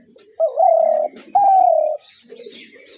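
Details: A spotted dove gives two long, loud, mid-pitched coos, each roughly half a second, the second slightly falling, with faint lower cooing before and after.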